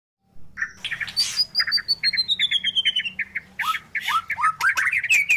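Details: A black-billed magpie sings a quick, rambling medley of chirps, squeaky whistles and harsh squawks, about three notes a second, over a faint low hum.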